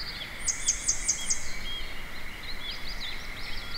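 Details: A grey wagtail singing contentedly in an empty parking lot sings a quick run of five very high, thin notes, then a looser series of sharp, twittering chirps over a faint hiss of background noise.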